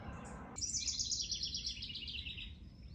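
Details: House Wren singing just behind a hiker on the K&P Trail, Ontario, 4 June 2024, on a calm, mostly sunny morning around 16° near 7:40 am: a rapid, bubbling cascade of high chattering notes tumbling downward over two seconds, over distant engine rumble.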